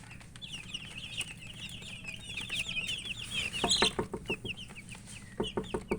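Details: Domestic chicks chirping while eating: a continuous run of thin, high peeping notes, each quickly rising and falling, over sharp pecking taps that grow louder and more frequent in the second half.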